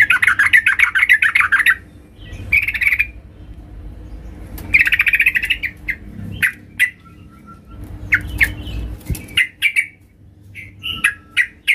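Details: Female sooty-headed bulbul calling the male for luring: dense chattering bursts alternating with scattered single chirps and short note groups, some lower thumps and hum.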